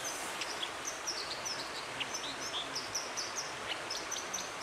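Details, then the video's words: White-throated dipper singing beside a stream in Dovedale, Britain, in October: thin, high whistled notes and short sharp trills scattered at an uneven pace over constant rushing water. "Dippers Singing"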